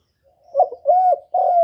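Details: Spotted dove giving a short series of three mellow coos, the middle note arched and the last held steady, with no other sounds.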